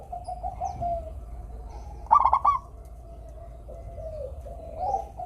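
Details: One crisp burst of fast stuttering coos from a local zebra dove, set against a continuous low cooing background, meant to get sluggish doves to sing.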